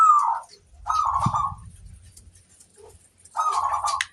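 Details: Zebra dove of local stock, cooing to lure other doves: three short bursts of rolling coos separated by pauses, with faint low thuds between them.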